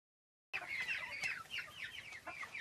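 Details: After half a second of silence, a group of Silkie chickens on a farm starts a busy chorus of shrill, quick, downslurred cheeps overlapping one another.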